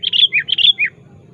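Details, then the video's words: Sooty-headed bulbul calling a rival, used as a lure: two fast phrases of bright whistled notes each ending in a lower falling slur, over a steady low hum. "Suara Burung Kutilang Gacor Aktif Memanggil Lawan"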